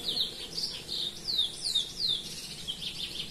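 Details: Curió, the chestnut-bellied seed finch, singing free in the Belém song style: clear, high whistled notes, each sweeping downward, delivered in a quick, fairly regular series of about three per second.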